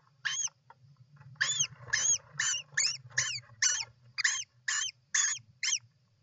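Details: At a European roller nest, 29 June 2024: one harsh call, a pause, then a steady run of about ten rasping, hook-ended calls, roughly two per second, over a low hum.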